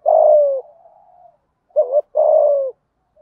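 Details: Spotted dove coo: a long low hoot fading into a murmur, then a quick double note and another sustained falling coo.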